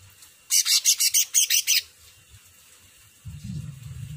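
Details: Cucak ranting delivering a rapid series of about eight piercing high notes, evenly spaced, followed by quiet and then a low rumbling noise.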